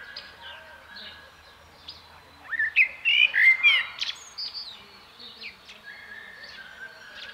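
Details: Common blackbird delivering a fluty, tumbling phrase midway, rich whistles ending in higher squeaks, set against steady thin chirping and a long level whistle from other birds.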